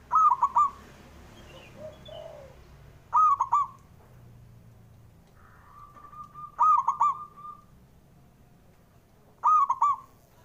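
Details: Four ringing three-note phrases from a male zebra dove arrive about every 3 seconds, a call meant to rouse birds that are slow to sing. A long steady tone runs just before the third phrase.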